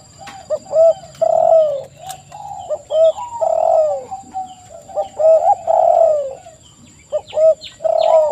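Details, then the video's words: Several spotted doves cooing together in a lively chorus, short clipped notes and longer falling coos repeating unevenly, with a faint steady high hum behind. "TEKUKUR GACOR suara merdu"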